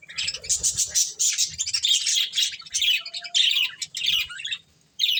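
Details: Pet budgies busy with corn keep up an unbroken, scratchy warble of high chirps and chattering squeaks, with a short silence just before a final burst.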